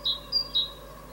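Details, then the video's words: Great tit (Parus major) singing its evening song on 16 April 2022: three clear, high whistled notes alternating low-high-low in quick succession, over a faint steady background hum. "Kohlmeise Fridolin singt - Great tit Fridolin singing"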